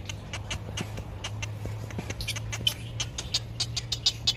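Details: Great egret chick in a nest in sunshine, waiting for food from its parent, giving rapid, dry ticking begging notes in uneven bursts, over a steady low hum.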